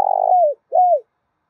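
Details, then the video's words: Spotted dove lure for trappers, meant to provoke males and females: a long rough, vibrating coo that slides downward, then a short gap and a smooth arched coo falling at its end. "Tiếng Chim Cu Gáy Mồi Kích Bổi Kích Trống Mái"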